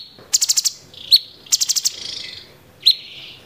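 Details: Grey-cheeked bulbul 'tembakan' song: two fast bursts of five piercing high notes, each followed by a single sharp tailed chip, the second burst trailing into a soft buzzy hum.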